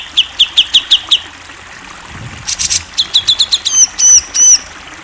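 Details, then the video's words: National champion grey-cheeked bulbul: a row of crisp downslurred high chips, a noisy flutter, more quick chips, then three loud ringing slurred whistles. "MASTERAN CUCAK JENGGOT GACOR SUARA JERNIH! JUARA NASIONAL!"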